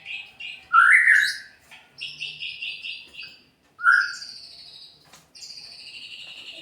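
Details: White-rumped shama (murai pastol) song for provoking other birds: separate loud slurred whistles with short buzzy trills between them, spaced by pauses of about a second.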